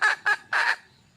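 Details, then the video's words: Junglefowl hen calling to a mate: two short harsh squawking notes followed by a longer drawn-out raspy note, then silence. "le bruit d'une poule sauvage,เสียงไก่ป่าร้องหาถู่หาตัวผู้,ສຽງໄກ່ປ່າຮ້ອງຫາຄູ່ຮັກ, poj qaib qus see"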